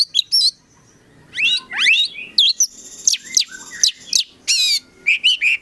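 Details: Caged Oriental magpie-robin (kacer) delivering full song: loud falling and rising whistled slurs, a buzzy trilled passage and sharp high chips, with faint low background noise beneath.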